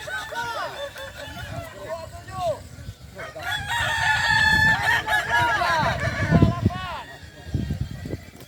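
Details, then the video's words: Kukuak Balenggek roosters in the boko-class final of a crowing competition at Sirukam dairy farm, Solok regency; chains of short arched crow notes overlap, with people talking and low rumbling noise in the background. "Final lomba ayam kukuak balenggek kls boko"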